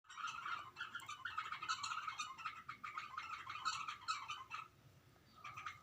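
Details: Bulbul calling at its own reflection in a mirror: dense, harsh, scratchy chattering bursts follow one another for about four and a half seconds, then a short quieter gap and one more rasping burst.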